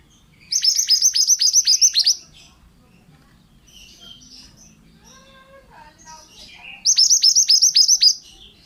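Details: Male pied bushchat in full song, used as a training recording for other birds: two bursts of rapid, high, sharply hooked notes, about a dozen each, separated by several seconds of faint scattered chirps.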